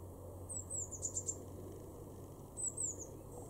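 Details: A Eurasian blue tit in a garden in Weener, East Frisia, Germany, in April 2021 gives very high, thin notes: a pair of slurred, falling tsee notes and three quick ticks, then two more thin notes two seconds later, over a low rumble.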